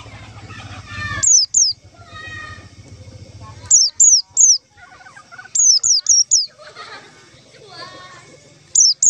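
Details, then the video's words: White-eye call played to lure the birds for trapping: bursts of two to four high, descending whistled notes, with busy chattering of other birds and a low rumbling hum in between. "suara panggilan pleci untuk pancingan pleci"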